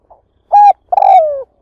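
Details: Close, loud cooing from a spotted dove decoy used to lure wild doves to a trap: a faint lead note, a steady clear coo, then a long, slowly falling croo.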